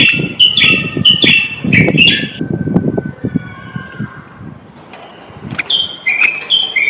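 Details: Common bulbul, a Moroccan male, singing to spur other males to sing and ready females for mating. Short clear whistled phrases in the first two seconds, then a pause and a fresh burst near the end, over a loud low traffic rumble.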